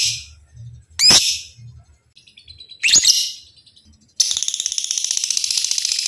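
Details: Kept lovebird used as a training master so other lovebirds learn the long ngekek trill: two sharp, high, harsh chirps, then a sustained rapid buzzy trill running on to the end.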